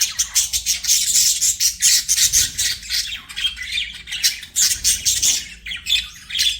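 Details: Budgie chirping: steady rhythmic bursts of bright, rasping, high-pitched twitter, several pulses per second, continuing throughout with only brief breaks.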